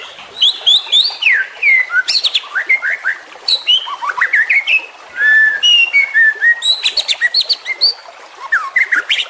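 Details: White-rumped shama singing in trotolan style, used as a master recording to train other shamas: rapid, varied whistled phrases with sweeping rising and falling notes, dense bursts of chatter, and short pauses between phrases.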